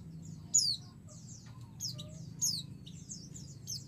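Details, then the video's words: White-eye female calling a male, provoking an answer: two piercing downslurred whistles about two seconds apart amid busy, thin high twitters and faint low background noise. "pleci betina memanggil jantan"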